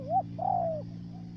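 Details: Single coo phrase from a decoy spotted dove used to lure birds for trapping in U Minh, Ca Mau. A short rising-falling note is followed by a longer, gently descending tone.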